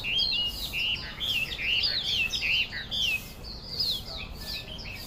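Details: Chinese hwamei, or melodious laughingthrush, delivering a loud song of clear whistled notes, repeated slurs and warbles, about two per second, bright and varied, with a soft low rumble underneath.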